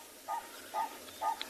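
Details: A purple-crested turaco at a watering hole on a warming morning in a South African game reserve, 10 January 2021, gives three loud, low, nasal 'kow' notes, evenly spaced about half a second apart, over quiet background hiss.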